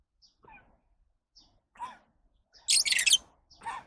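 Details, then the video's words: Lovebirds giving short, shrill chirps spaced through the recording, then a loud burst of harsh, rapid screeching chirps lasting about half a second, followed by one more sharp chirp; a quiet background otherwise. "Love birds Sounds"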